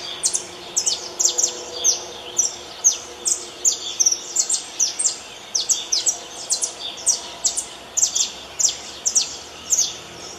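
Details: Saffron finch singing in natural surroundings: dense, rapid, high chirps, often doubled, repeated steadily for ten seconds over a constant background hiss.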